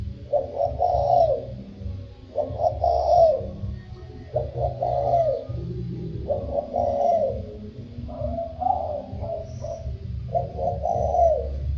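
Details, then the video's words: Spotted dove giving 'thổ sâm' style coos: short, mellow, low-pitched phrases repeated roughly every two seconds, six in all, with a constant deep background drone beneath. "Tiếng chim cu gáy chuẩn Giọng thổ sâm"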